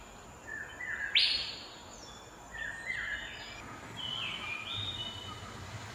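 An Asian fairy-bluebird gives one sharp, loud upslurred whistle, then a few softer, shorter liquid whistled notes over a quiet background.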